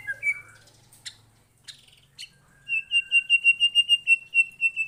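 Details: White-rumped shama answering a lure recording, revealing its imitations: scattered clicks and short whistles, then a fast, steady series of about fourteen identical high chirps repeated several times a second.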